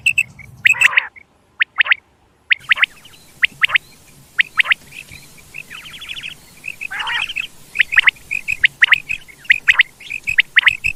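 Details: Quail calling for hunters who attract quail: a harsh note, then a short silence, followed by scattered bright chirps and a fast trilled rattle, over a faint hiss of background noise.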